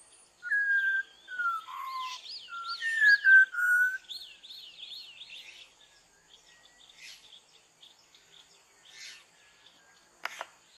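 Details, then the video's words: A Malabar whistling thrush sings at dawn in forest, giving a rambling run of clear, human-like whistles in the first four seconds, with other small birds chirping faintly behind. "The Malabar whistling thrush (Myophonus horsfieldii) - पर्वत कस्तुर - ചൂളക്കാക്ക - சீகார பூங்குருவி"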